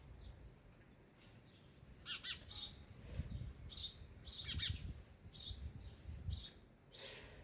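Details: Sparrows eating at a feeder chirp in high, clipped bursts and thin squeaks, loosely spaced, over a rumbling low background noise.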